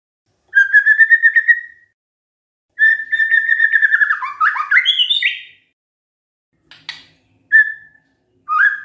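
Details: White-rumped shama song used as a lure to make other shamas answer: clear whistled phrases with rapid pulsed trills, a longer run of rising and falling notes, then short separate whistles after a pause.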